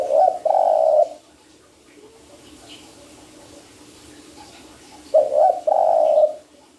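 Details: Spotted dove calling as a trapping lure, giving low husky cooing phrases of a short note followed by a drawn-out purring coo, heard twice with a quiet pause between.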